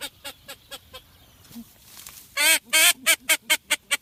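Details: Blue-winged teal, used as a Dominican hunting call: a few faint spaced quacks, a brief pause, then a loud burst of harsh nasal quacks that fade into quicker, softer repeated notes.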